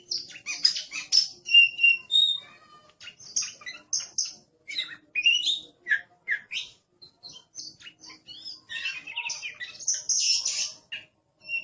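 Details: Oriental magpie-robin, described as aggressive, in sustained noisy song: a long stream of sharp high chirps, short whistles and buzzy scratchy notes in rapid irregular bursts, with brief pauses between phrases.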